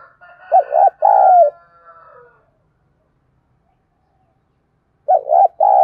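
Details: Spotted dove calling to stir wild doves to reply, giving a three-part coo of two short notes and a drawn-out falling one, then silence before the next phrase begins; a faint crowing-like sound runs beneath the first phrase.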